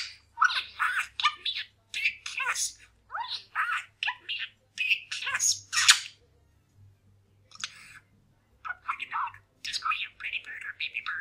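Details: Pet male parakeet indoors chatting and mumbling while practising new sayings: rapid run of scratchy, speech-like warbled syllables in quick bursts, a short pause near seven seconds, then more chatter; low steady hum beneath.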